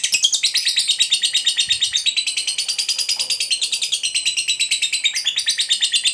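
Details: Long ngekek trill of a fighter lovebird, meant to stir up rival lovebirds: an unbroken, very rapid chattering series of shrill notes that holds an even pace for six seconds.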